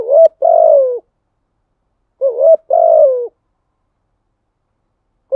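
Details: Lure song of a spotted dove meant to attract wild birds: repeated phrases of a short rising hoot followed by a long, mellow coo that slowly falls, coming about every two and a half seconds, in clean quiet surroundings.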